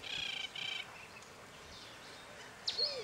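African jacana giving two quick, high rattling bursts, then a sharp squeaky note a couple of seconds later, over faint background hiss.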